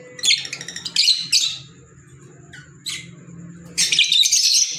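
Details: Green Fischer's lovebirds give short, harsh, high squawks and chirps in scattered bursts, ending in a louder run of rapid shrill chatter.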